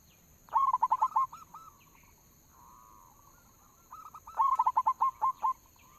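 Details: Local zebra dove, perkutut, heard as a lure sound to get birds singing: two bursts of about seven rapid, rolling mid-pitched notes, separated by softer trailing coos.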